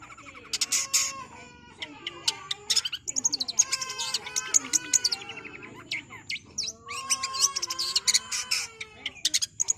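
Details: Cendet pouring out dense song: layered ringing tones and harsh high bursts mixed with rapid chirps, loud and nearly continuous throughout.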